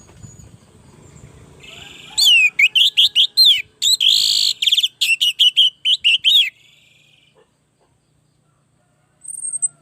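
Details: Vigorous orange-headed thrush song used to coach and trigger other birds: an extended series of quick, slurred, rising and falling whistles repeated over about four seconds, some notes buzzy, then quiet and a brief high note at the end.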